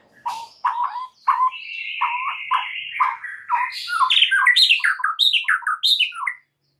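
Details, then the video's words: White-rumped shama in a masteran training recording meant to rouse other shamas into singing: a varied song that opens with low clipped whistles, runs into a sustained buzzy phrase, then speeds into rapid rising and falling whistled notes. "Dengan CEPAT murai batu AKAN EMOSI dan IKUT GACOR dengan MASTERAN murai batu ini"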